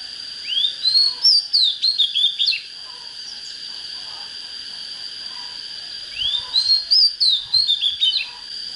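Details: Oriental magpie-robin singing as a lure for wild bird fights: two separate phrases of rising whistles that break into rapid chattering notes, with a quiet pause between them and a steady shrill whine throughout.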